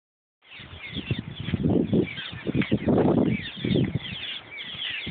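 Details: Cliff swallows in a large colony on a bridge over the Yellowstone River north of Springdale, Montana: dense overlapping chirps and twitters throughout, with a steady low rumble, possibly water, underneath.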